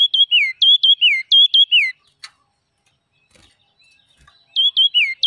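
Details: Wild red-whiskered bulbul singing: bright whistled three-note phrases, two short clipped notes then a longer downward slur, given three times, a pause of over two seconds, then the phrase sequence starts again.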